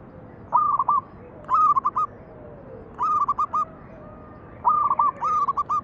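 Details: Local zebra dove song played as a lure for other doves: five bright cooing phrases, each a stuttering burst of short notes on a level pitch, following closely one after another over soft background hiss.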